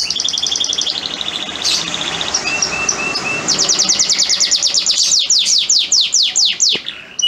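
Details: Male canary singing for a female in breeding condition, mixing a fast high rattle and short whistled notes before building into a loud chain of rapid sweeping chirps that slows toward the end.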